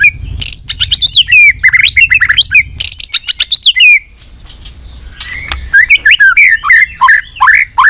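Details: White-rumped shama singing a fighting song for competition: fast descending whistled runs and metallic chattering bursts, a short pause, then further looping whistles.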